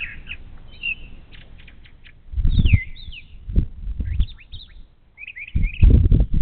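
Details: Brown thrasher singing in the morning near a Bald Eagle nest camera along the Little Miami River, Ohio: varied short whistled and slurred phrases, some falling, in quick succession, over heavy low rumbling thumps and wind-like noise.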